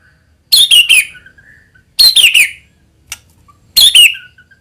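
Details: White-rumped shama giving a lure song meant to provoke other shamas into vigorous singing: three bursts of sharp, descending high notes, each followed by a soft dotted trill, repeated roughly every 1.6 seconds.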